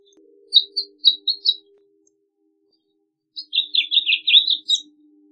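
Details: Several short high chirps from a House Finch, then after a pause a quick buzzy warbled phrase ending in a rising note.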